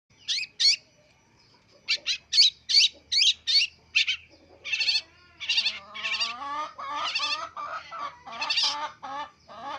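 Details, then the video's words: Young long-tailed shrike learning sounds: a string of short, harsh, scratchy notes, then a quicker run of varied, rasping phrases with a tonal ring, all high-pitched with brief pauses. "cendet blajar bunyi"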